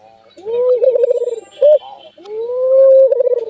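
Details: Strange, unique call of an albino Barbary dove: a long rising hoot turning into a rapid rattling tremolo, a short abrupt note, then another long rising coo ending in a pulse.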